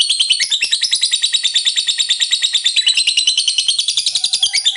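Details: Lovebird in full ngekek chatter, a long song said to spur rival lovebirds to sing: a continuous, harsh, high rattle of quick pulses, steady and unbroken across the whole stretch.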